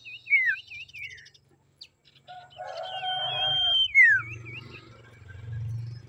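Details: Female common iora (sirtu, cak lilin) sound used to lure and provoke males: a series of wavy, looping whistled notes repeated quickly, a longer level whistle in the middle, then more looping whistles over a low steady hum.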